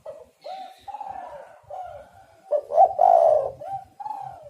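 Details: Spotted doves calling, a sound used to lure birds into traps. Several soft, falling coos overlap, with one louder hoarse rolling coo phrase in the middle.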